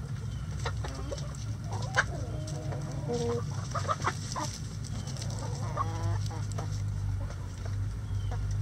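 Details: Chickens at feeding in the coop: scattered soft clucks and short stepped chattering notes throughout, partly masked by a heavy, steady low-pitched hum.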